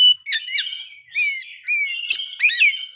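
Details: Oriental magpie-robin performing its learned song material: clear, ringing whistled notes, several sliding downward, given in short spaced phrases with a sharp click between them.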